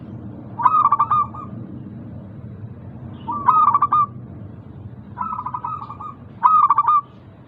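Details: Four phrases of local zebra dove song, meant to stimulate lazy caged doves: each a quick burst of stuttering coos trailing into a longer coo, repeated roughly every two to three seconds over low rumbling background.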